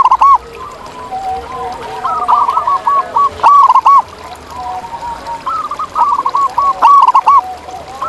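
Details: Zebra doves heard in the wild, with loud, quick phrases of staccato cooing recurring every one to two seconds, overlapping softer cooing from several other birds.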